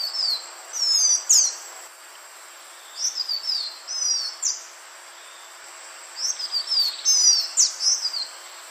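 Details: Green iora lure recording: repeated bouts of high, sharp whistled notes, some rising, most sliding down, in three groups, over light hiss.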